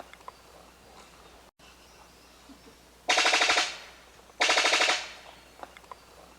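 A Brown Sicklebill gives two loud, dry, machine-gun-like rattles, each under a second and a second apart, over a quiet natural background.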